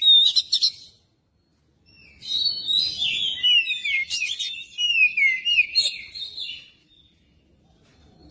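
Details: Lure song of an Oriental magpie-robin: a burst of sharp chirps, a second of silence, then a sustained flowing sequence of sweet whistles dropping in pitch, fading into quiet.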